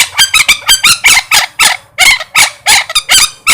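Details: Rapid chatter of raspy, nasal parrot squawks, crowded together at roughly four per second, very loud and bright, with a steady low hum underneath.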